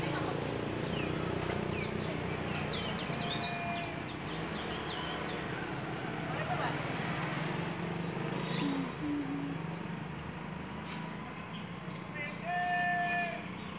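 Blue-gray tanager singing a burst of thin, squeaky, high twittering notes, with a few scattered chirps later, over a steady background hum and possible voices.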